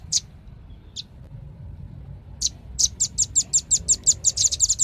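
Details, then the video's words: Velvet-fronted nuthatch, named by its Indonesian name rambatan paruh merah, giving a few separate high sharp notes and then a fast run of rapid, evenly repeated high chips, about three per second, over faint low background hum. "SUARA BURUNG RAMBATAN PARUH MERAH"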